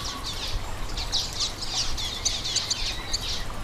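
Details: Common waxbill calls, played to excite captive seedeaters. High, thin chirps come in quick repeated bursts throughout. A steady hiss and a low rumble fill the background.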